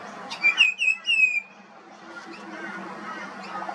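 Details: Singing juvenile pied butcherbird: a quick series of three or four clear, downward-sliding whistles with ringing overtones, then faint background rustle.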